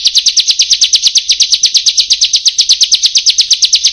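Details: Bar-winged prinia song for training caged birds: a continuous chain of quick, buzzy, slightly down-slurred high notes, about six each second, with no pause.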